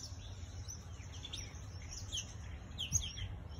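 Elegant parrot giving thin, high, scattered chirping notes, some sharp and slightly rising, over a steady low rumble of background noise.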